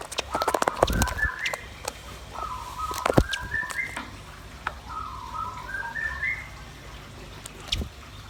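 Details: Lively song attributed to red-billed nuthatch and white-rumped shama, local names rambatan paruh merah and murai batu: whistled phrases climbing in small steps, repeated three times, over loud clicks and knocks.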